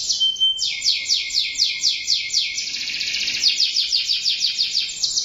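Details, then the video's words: Singing canary opens with a short pure whistle, then pours out descending sweeping notes repeated about twice per second, merging into a rich, rolling high trill. "٣٠ دقيقة تغريد مستمر ورائع مهما كان نوع الكناري خاصتك سيبدء بالتغريد"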